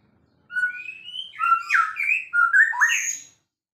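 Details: Champion-quality white-rumped shama delivering one continuous rich phrase of clear whistles that rise and fall, sliding and warbling notes with high sharp accents, lasting about three seconds.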